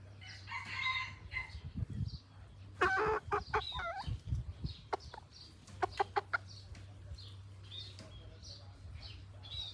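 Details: Pradu-coloured decoy rooster from Roi Et, kept in village life and linked to wild junglefowl and hybrids, gives a short harmonic crow early on, followed by sharp clicks, knocks and low background hum.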